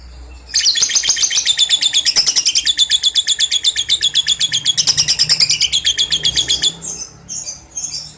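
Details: Lovebird giving its ngekek chatter, used as training sound for young contest birds: a long, fast, high-pitched trill of buzzy repeated notes, about two per second, running six seconds before tapering into a few separate chirps.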